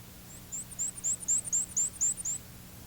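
Black-and-white warbler song: very high, thin squeaky notes in quick repeated pairs, like a turning squeaky wheel, about eight phrases in two seconds.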